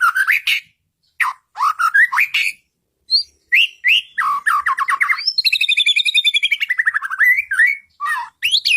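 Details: Lure song of a white-rumped shama, meant to quickly provoke caged birds into answering; loud bursts of whistles and rattles separated by pauses, then a long descending, rapidly pulsed phrase.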